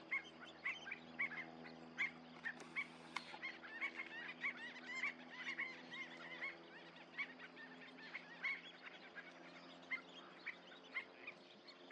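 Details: A flock of Western Sandpipers in flight in a murmuration at American Canyon Wetlands gives thin, high chirps, overlapping and repeated every fraction of a second, over a steady low hum of wind or surf.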